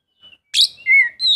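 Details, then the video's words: Oriental magpie-robin singing to prompt a silent bird: a sharp burst followed by sweet whistled notes, one falling, then another rising. "Kacer mana yang gak lasung bunyi dengar suara kacer ini"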